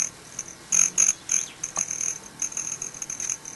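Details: Broad-tailed hummingbirds drinking sugar water and squabbling; a thin, high-pitched cricket-like buzz rises and fades repeatedly, with quick bursts about four times a second and a faint tonal whine underneath.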